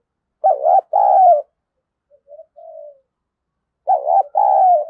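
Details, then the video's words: Decoy spotted dove cooing to provoke a fight: two loud, mellow cooing notes, the first wavering and the second longer and falling, then a soft low coo, with the loud pair returning near the end; no other sounds. "Chim Cu Mồi Thúc Đấu , cu gay kich boi nhanh noi gù/cu gáy thúc đấu"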